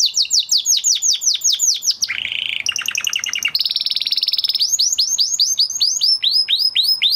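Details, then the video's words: Canary after the moulting period, a male in training, delivers fast falling chip trills, then a lower buzzy rattle, a high rapid trill and swooping repeated notes, all loud and continuous. "Canary Trying To Unlock His Full Singing Potential Part 2 - Canary Singing Video"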